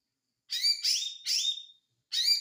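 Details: White-eye uttering three quick, shrill, downward-slurred chirps close together, then a short pause before another bright note; clean recording without background noise.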